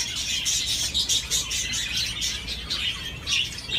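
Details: Budgerigar swinging and warbling: dense, rapid, grating chatter broken by bright chirps about every quarter second.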